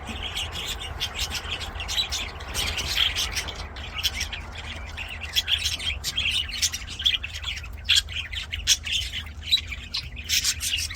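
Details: Aviary budgerigars singing, a continuous mix of scratchy squawks and quick chirps, many birds calling at once with bursts of louder notes, over a low droning hum.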